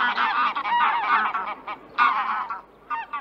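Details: Greylag Geese in Central Russia give loud, harsh, nasal honks in quick overlapping bursts, several birds calling together, with brief pauses between groups of honks.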